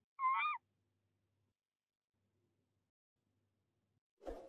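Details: Tawny owls at a nest box in De Mortel, February 2021, breeding season, male feeding prey to the female. A single rasping, slightly rising call opens, followed by silence and then a brief rustling thump at the end.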